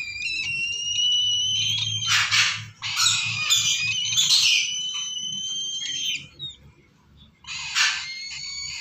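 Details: Chick of the lesser sulphur-crested cockatoo begging with long, strained, whining squeals mixed with rough broadband rasps, then a pause and a final harsh burst, over a low rumbling hum.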